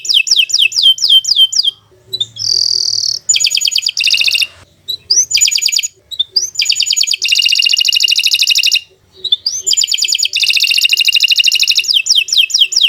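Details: Energetic canary song for coaxing other canaries into song: long rolling high trills, a short pure whistled note, and bursts of rapid repeated chips, separated by brief silent gaps.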